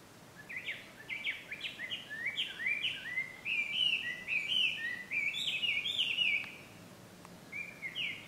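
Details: Chinese hwamei in full song at Ikimono Fureai no Sato on 5 June 2020: fast repeated upward-swept whistles in a rhythmic series, flowing into varied rich warbled phrases, then a short pause and a few final notes.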